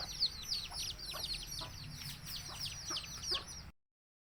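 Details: Village chicken chicks give high, downward-sweeping peeps in a crowded chorus, a few low clucks mixed in, before the sound cuts off abruptly.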